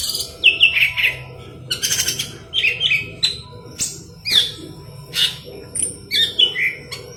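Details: A golden-fronted leafbird singing hard, used to train green leafbirds: quick clusters of warbled chirps and falling whistles, bursts every second or so, mixed with brief high buzzy notes.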